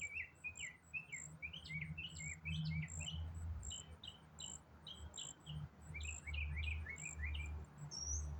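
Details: In autumn, a songbird keeps up a long, complex song: fast strings of sharp downslurred chirps and whistles, densely packed, over high insect ticking and a prominent low rumble.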